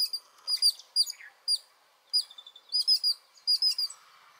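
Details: Alarm calls of Yellow-billed Babblers mobbing a python in Anantapur district, Andhra Pradesh, India, during a morning gathering with robins, prinias and sparrows; loud, sharp, high chirps given in doubled and tripled bursts, with brief gaps between groups.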